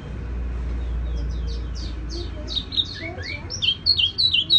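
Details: Tiểu mi songbird giving a gentle song: after a quiet start come scattered high chirps, then a few lower whistled notes and a closing burst of rapid, bright repeated whistles, over low rumbling background.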